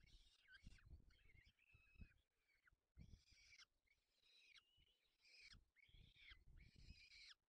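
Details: Peregrine falcon feeding chicks in Poland's Barycz Valley on 4 May 2020. Scratchy, harsh wailing calls are given in quick series with brief pauses, accompanied by strong low thuds and scraping sounds.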